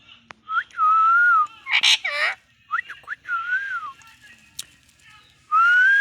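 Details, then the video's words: Pet talking parakeet in Bangladesh gives long level whistles, rising and falling whistled notes and a harsh burst of speech-like syllables, ending on a loud rising whistle. "talking parrot funny moment.."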